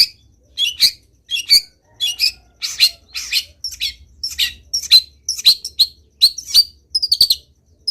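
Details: Energetic long-tailed shrike song full of varied phrases, recorded to make other shrikes join in: a rapid run of scratchy, chattering high notes and short twittering bursts, almost continuous, with faint low rumble beneath.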